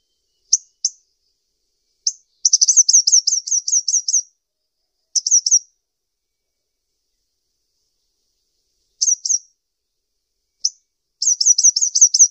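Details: Kolibri ninja sunbird calling in high, sharp notes: scattered single and paired chirps broken by two rapid rattling runs of about eight notes each, against silence.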